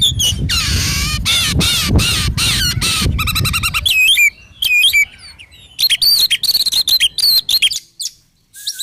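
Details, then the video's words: Oriental magpie-robin in loud song for training and morning and evening therapy: dense rasping trills and rapid sweeping notes, then a quieter section of separate sharp whistles and twangy phrases with short pauses. "SUARA BURUNG KACER GACOR COR"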